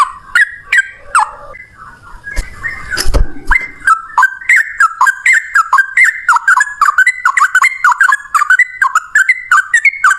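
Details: Yellow-vented bulbul in fighting song used to lure other bulbuls: a few whistles, a brief noisy burst, then a long, accelerating run of quick clicking whistled notes stepping up and down in pitch.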